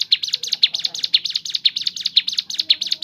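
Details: Crescent-chested babbler song: quick, high twittering notes in a regular pulsing pattern, each burst with a sharper accent, faint low background hum.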